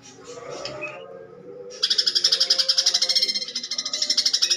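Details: Greater green leafbird in coarse fighting song with sparrow imitation: after a quiet, muddled start, a sudden fast buzzy trill of pulsed high notes runs to the end.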